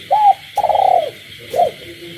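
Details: Captive spotted dove cooing at night among calling frogs in a village setting: an arched coo, a long pulsing falling coo, then a short closing coo, over a constant high frog and insect drone.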